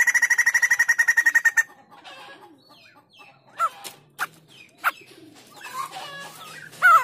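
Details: White-crested laughingthrush singing vigorously, for use as a song tutor or to prompt other birds: a fast, even string of loud chattering notes for over a second and a half, then quieter scattered slurred calls and sharp notes.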